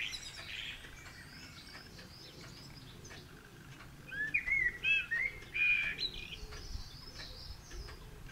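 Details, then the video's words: Wild Eurasian blackbird trading song with a second blackbird nearby, a pigeon also around; faint distant warbles first, then a clear mellow phrase of several fluting, slurred notes in the second half, ending with a sharp high twitter. "Blackbird chatting with friend"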